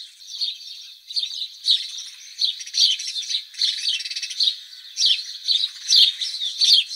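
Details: Domestic sparrow (Passer domesticus) with a dense, steady stream of shrill chirps and twitters, the notes overlapping almost without pause for seven seconds, as if several birds were calling together.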